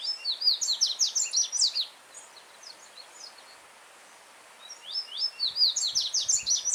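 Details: Free-living yellow-bellied seedeater near running water delivering two loud song bursts separated by a pause of about three seconds; each burst is a quick series of sharp, downslurred high notes, around a dozen in the first.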